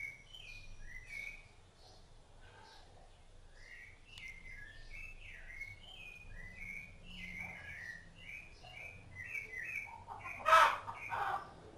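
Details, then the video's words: Rufous-bellied thrush singing while feeding its chicks: a steady run of short, clear whistled phrases with rising and falling slurs, one after another with little pause, ending with a sharp knock. "SABIÁ LARANJEIRA CANTO"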